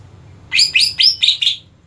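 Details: Caged greater green leafbird in competition-ready condition giving a quick run of five loud, sharp chirped notes, each slurred downward, about four per second, with a low hum behind.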